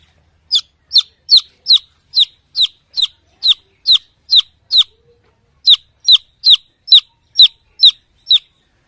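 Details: A chick looking for its mother hen gives a persistent run of shrill, sharply falling peeps, about eleven at a steady pace, a short break, then eight more just as regular.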